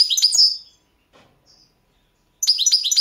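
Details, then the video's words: Carduelis carduelis balcanica recorded for a 2022 world song contest gives high liquid twitters, falls silent apart from faint soft notes, then resumes with a rapid tinkling phrase. "Pesma štiglića 008/22 World Championship in Goldfinch Song"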